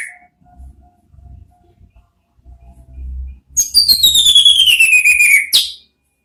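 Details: Singing orange-headed thrush used as lure therapy for ngeplong and ngeriwik sounds: after three seconds of low background rumble, a long buzzy whistle glides down steadily for two seconds and ends in a sharp note.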